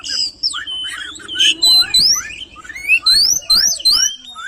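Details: An oriental magpie-robin pours out a fast, varied song of clear whistles and rising and falling slurs, with scratchy notes between phrases, singing so energetically it sets other magpie-robins singing too.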